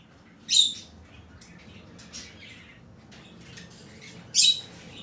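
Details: Fischer's lovebird, 6 April 2020, giving two loud, piercing screechy calls about four seconds apart, with soft scattered chirps and clicks in between.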